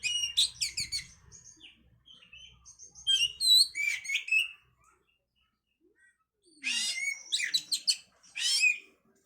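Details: Oriental magpie-robin (kacer) song played to stimulate breeding condition: loud bursts of rich whistles, buzzy rasps and rapid chattering notes in phrases, separated by short pauses.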